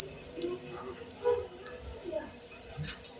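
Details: Java sparrow song imitating canaries, isian kenari filler: after quiet murmuring, a long, pure, high whistle rises slightly and then slowly falls, held for nearly two seconds.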